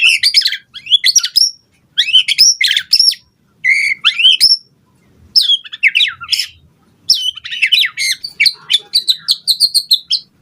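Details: White-rumped shama singing to provoke rivals to respond: high, rich whistled phrases with swooping slurs and chattering trills, delivered in bursts separated by short gaps.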